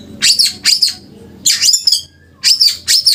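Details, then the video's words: Caged white-rumped shama in a 'muntah beling' singing style: loud, harsh, buzzy bursts spread over high pitches. Four bursts come in two pairs with short pauses between them, and low background hum sits beneath. "Murai batu seri f2 muntah beling"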